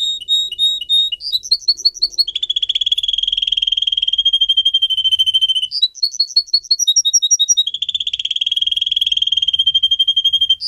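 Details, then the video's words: Singer canary used for song training, pouring out a fast bright song: quick chirped notes and rolling trills, with long steady buzzy rolls of rapid repeated pulses. Bright whistled phrases break in between. No other sounds stand out. "Canary song video - type of song"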